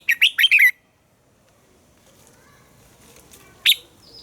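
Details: Captive red-whiskered bulbul giving a morning song meant to train other caged bulbuls: a brief burst of four loud, warbling phrases sweeping between high and mid pitch, followed by near silence and one short sharp note.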